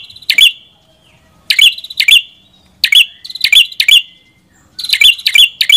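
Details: Red-headed prinia (prenjak kepala merah) delivering crisp, twisting chip notes in bursts of two or three, separated by brief pauses.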